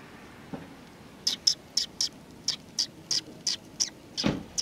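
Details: A group of sparrows welcoming someone at a community hall on 16 July 2020: a steady series of crisp, high chirps about every quarter second, ending with a louder broader note.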